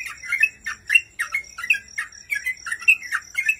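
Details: Sooty-headed bulbul in gacor singing form, a master recording for training cage birds: quick bubbly chattering phrases, about three per second, each a short burst of rising and falling notes, with a faint steady high tone behind.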